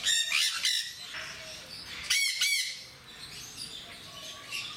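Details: Shrill, grating double squawks from captive Jenday parakeets at Mysore Zoo, two loud bursts about two seconds apart, followed by quieter chatter and faint thin whistles in the background.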